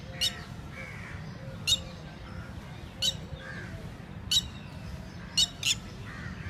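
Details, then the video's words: Indian red-wattled lapwing, locally called titodi, at a lake, described as mating. Six sharp, loud calls spaced irregularly over several seconds, one pair close together near the end, over a constant low rumble of background noise. "calling Red Wattlad lapwing (Titodi) Dally activity ,sounds,singing"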